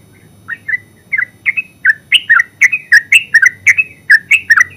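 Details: Yellow-vented bulbul (terucuk) singing in the full ngeropel style: a quick run of bubbly, chirpy notes, each a short rising-falling twist, coming faster and louder, with sharp clicks between notes and a low hum underneath.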